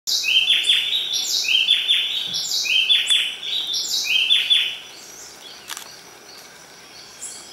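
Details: White-whiskered puffbird (Malacoptila panamensis) at Buenaventura reserve, Ecuador, gives four very high, thin, whistled phrases, about one a second, each trailing downward, then falls quiet over soft hiss; a club-winged manakin is also heard.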